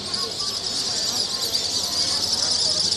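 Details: Swallows in their thousands swirling over Corfu at sunset, their sharp, high-pitched chirps blending into a constant busy chatter, rising slightly in intensity toward the end.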